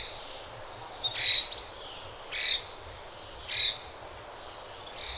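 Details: Birds chirping in the early morning: short, bright, sharp high notes repeated roughly every 1.2 seconds, four bursts in all, over a quiet low background hum.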